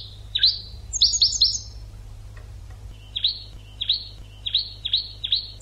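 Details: European goldfinch tutor song for training birds: a fast run of high chirps, then after a short pause a steady series of sharp, downward-flicking notes repeated about every half second.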